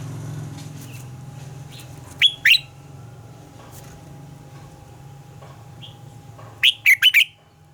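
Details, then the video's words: Red-whiskered bulbul morning song in the mature wild-style double-note manner, used as training song for other bulbuls: two short bursts of bright chirpy whistled notes, the second a quick cluster of three, over a steady low hum. "Luyện giọng cho chào mào hót sáng - Hót hay nhanh lửa, chào mào hót âm kép già rừng hay tuyệt!"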